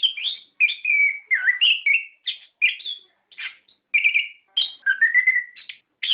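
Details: Orange-headed thrush singing, a lure recording to stimulate captive birds: clear whistled phrases, some slurred downward or rising, mixed with short buzzy notes, in bursts separated by short pauses.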